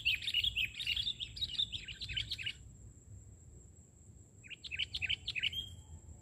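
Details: Sooty-headed bulbul singing from the ground during trapping: a fast string of sweet, rolling whistled notes, a two-second pause, then another shorter burst of the same phrases.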